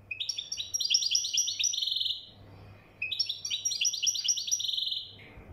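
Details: Moroccan goldfinch in song, delivering two long runs of quick, high, tinkling twitters and buzzy trills, each ending on a sustained buzzy note, with a low background hum.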